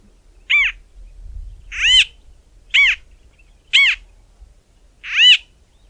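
A White-fronted bee-eater gives five short, nasal, squawky calls, each slightly arched in pitch, about one per second, over a quiet background.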